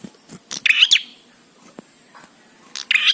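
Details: Bar-winged prinia singing, used to get trained prinias calling: a single buzzy, scratchy phrase near the start, then a long quiet gap with scattered clicks, and a second harsh phrase beginning at the very end.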